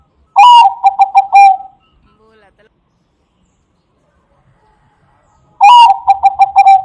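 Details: Bangkok-type zebra dove (perkutut) song used for luring doves: two loud, clipped phrases some five seconds apart, each a rising opening note and a rattling series of short coos, with near silence between.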